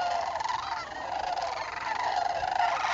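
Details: A large gathering flock of Sandhill Cranes (Antigone canadensis) migrating south in northern Indiana in fall, 7 October 2011, calling at once: rolling, rattling bugles overlap into a steady, throaty chorus with no pause.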